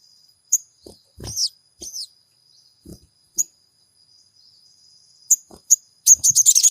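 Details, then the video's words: Crimson sunbird, a lure recording played to provoke caged birds into song: scattered high, thin chirps and short squeaky notes with pauses between, ending in a quick burst of rapid chirping, plus low knocks or clicks. "MASTERAN SOGON GACOR PENJEBOL EMOSI SOGON MACET BUNYI"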